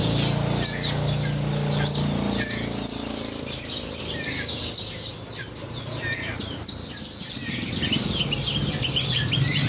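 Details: Horsfield's bush lark singing as a training tutor: after a few scattered notes, a rapid series of sharp, high chirps repeats roughly twice a second, with a low hum underneath.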